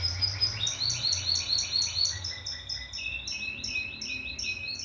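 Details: Canary singing high rolling trills of short whistled notes, shifting step by step to lower-pitched trills, fast and even, with a faint low hum underneath.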